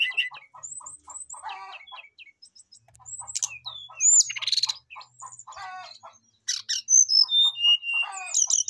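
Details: Brown-chested jungle flycatcher singing persistently to call a rival, song full of inserted phrases: rapid low ticks repeated about twice a second under varied whistles, curling slurs and buzzy rattles.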